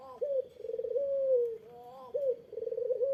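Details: Barbary dove calling to provoke a rival's reply. Low, smooth, rolling coos rise briefly, hold level, then sag slightly. Two phrases begin with a short accented note. The setting sounds like a quiet indoor space.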